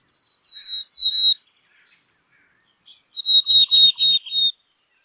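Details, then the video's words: Black-capped chickadee (Poecile atricapillus) song: thin, high whistled notes, then after a pause a burst of quick, buzzier notes in the same high range. "Black capped Chickadee Song"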